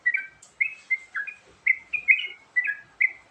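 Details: Varied lure song of a Yellow-vented Bulbul: crisp chirped couplets repeated every few tenths of a second over soft background noise.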